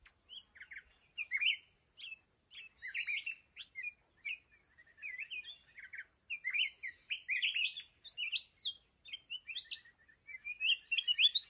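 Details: Red-whiskered bulbul, a decoy bird used to trap wild mountain bulbuls, sings bright, bubbly whistled phrases in quick bursts, rising and falling, repeated every second or so over a faint steady high hiss.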